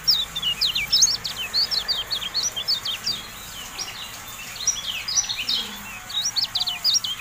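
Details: Javan white-eye tutor song: long bursts of fast, high, squeaky twittering notes that dip and rise, pausing briefly midway before resuming, with steady hiss underneath.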